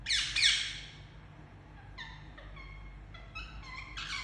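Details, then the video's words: Pet Indian ringneck parakeet giving very loud chirps: a harsh, noisy burst at the start, then a run of shorter, thinner harmonic chirps spaced irregularly over the remaining seconds. "Very Loud Chirping Sound Of Indian Parrot"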